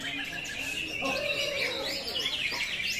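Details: Greater green leafbird in 'tembakan kapas tembak' song: a brisk string of sharp chirps and short whistled slurs with light background noise.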